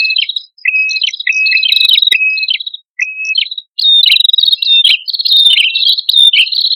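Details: Male and female prinia calling energetically as a bird lure: crisp, pure chirps with short level whistles in spaced phrases, breaking into a rapid, busy, almost continuous stream of overlapping chirps.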